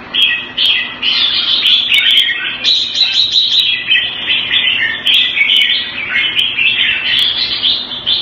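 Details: Singapore, February 2018: a caged red-whiskered bulbul kept Thai style sings an almost unbroken stream of lively chirps and warbles, with a rapid run of rippling notes near the middle.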